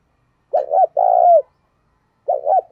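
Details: Lure spotted dove calling in the 'thúc gù' and 'gáy gọi' styles to draw in wild doves. One full phrase of a warbled double note and a sustained falling coo, then the next phrase begins.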